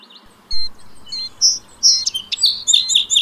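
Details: Song sparrow phrase opening with sharp separate notes, followed by a string of high whistled and buzzy elements that run together toward the end, over a quiet low background hum.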